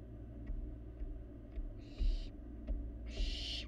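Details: Barn owl fledgling eating inside a nest box in Florida, caught on a live nest camera: two harsh, breathy hissing screeches about a second apart, with soft knocks and a steady low electrical hum.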